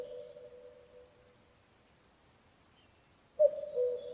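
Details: A low, hollow hum fades at the start; after a quiet pause a Common Cuckoo gives a soft two-note cuckoo call falling slightly in pitch, with faint rural hiss behind it.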